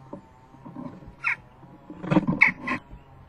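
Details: Jackdaw fledgling begging its parents for food at the nest box entrance on 12 June 2015, late morning, just before leaving the nest: a single hoarse descending call, then a quick cluster of three harsh calls over thumping and scraping.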